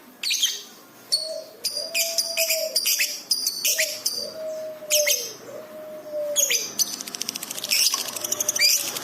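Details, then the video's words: Masteran lovebird chatter for training pet birds, excited and quick-responding: clusters of high sharp chirps and squeaks, a closing buzzy pulsed run, and several low drawn-out whistled notes arching then falling. "masteran love bird gacor cepat respon emosi memuncak"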